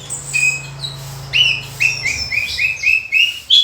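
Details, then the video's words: Horsfield's bush lark in energetic full fill-in song gives a fast sequence of short, sharp high notes repeated several times a second, over a low steady hum. "Burung Branjangan Gacor full isian"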